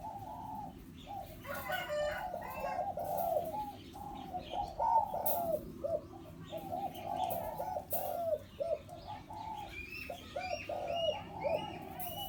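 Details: Four-year-old hybrid zebra dove used as a trapping decoy, cooing in long runs of soft rolling notes with brief pauses between phrases, and faint higher twittering from other birds near the end.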